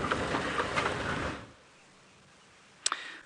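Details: A burst of rustling, rattling noise stops abruptly, then near silence, broken by a single sharp click near the end.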